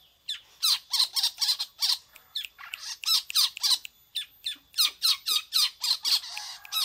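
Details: Long-tailed shrike, described as singing in the manner of a prinia, here giving a fast run of harsh, rasping, broadband squawks, about three or four per second, in uneven bursts.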